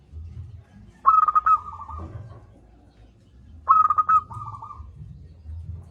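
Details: Vocal local zebra dove with a big voice, for encouraging silent doves to sing: two phrases of rapid staccato cooing that slide into a lower trilled coo, spaced about two and a half seconds apart, over low background noise.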